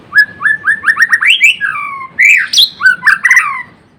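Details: Murai batu (white-rumped shama) pouring out a continuous run of rising whistled notes, about four per second, ending in harsher slurred and squawky phrases.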